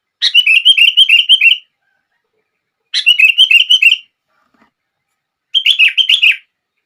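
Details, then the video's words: Sooty-headed bulbul song meant to get other bulbuls singing: three bubbly phrases of quick, slurred, liquid whistled notes, each lasting about a second, separated by short silences, with no other sounds. "Kutilang Lain gak bisa diam saat mendengar suara ini!!!"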